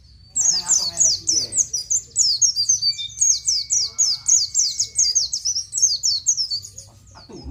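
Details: Oriental white-eye delivering nGalas-style song for training captive birds: a long unbroken string of shrill, downslurred 'ciet ciet' notes, about three or four per second, with a brief faint whine beneath.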